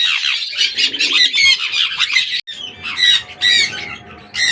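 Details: Harsh, shrill sun conure squawks crowd together at first, stop for an instant, then return as separate piercing shrieks.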